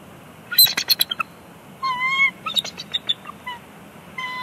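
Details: A mated pair of wild bald eagles at their Big Bear Lake nest in California, 24 April 2021, briefly disagreeing while placing a bushy stick: high, thin chittering notes and squeaky whistles in quick bursts, with a longer wavering squeal.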